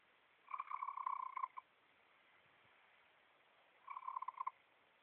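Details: Chicken resting on a person's lap, making noises new to its owner: a rattling, pulsed trill lasting about one second, then a shorter trill after a pause, in a quiet room.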